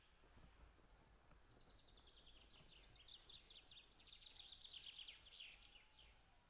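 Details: A white-tailed eagle arriving at its nest in western Estonia on a morning in April 2016 for a nest changeover gives a rapid, high yelping series, about four notes a second, swelling louder then fading, over a low steady rumble of wind.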